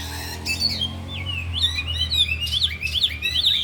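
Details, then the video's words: Oriental magpie-robins, four caged birds training in the afternoon, sing mimicked phrases: upslurred and downslurred whistles strung into quick warbling runs, loud and continuous against a low steady hum. "Latihan Kacer di Sore Hari Biarpun Hanya Burung 4 Tapi Jalan Semua dan Bongkar Isian"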